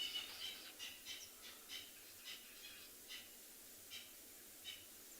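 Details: Distant francolins shout from bushy, rain-greened bush on an afternoon safari at a South African game reserve, 14 June 2020, while guides search for a leopard. A faint run of harsh, scratchy notes, two or three a second, over quiet.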